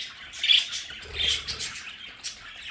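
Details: Several pet budgerigars in their play area at home give two short bursts of scratchy, high chirping chatter about a second apart, with a soft low thump beneath.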